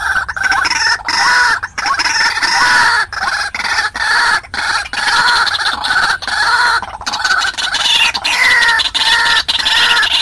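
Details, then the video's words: White-breasted waterhen calling on a trapping lure recording: continuous loud, throaty, harmonic notes in pulsing groups, with a falling slurred phrase near the end. "Tiếng quốc mồi cực hay/Dùng bẫy Quốc hiệu quả/Tiếng quốc mồi gọi bổi"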